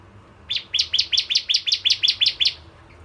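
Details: Bar-winged prinia in full song, a lure recording for kept birds: a quick run of about ten bright, slightly rising doubled chirps over two seconds against a quiet low background hum.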